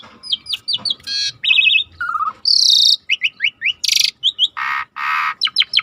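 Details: Rare starling song used as a training recording, set against deep nature river sounds: a rapid varied medley of whistled slurs, buzzy harsh bursts and sharp chirps, many notes high and dense, with a low watery rush underneath.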